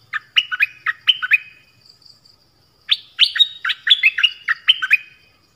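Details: Two lively phrases from a Dok Taeng bird: a first burst of about eight crisp slurred whistles, then after a pause a longer, faster run of about a dozen ringing notes.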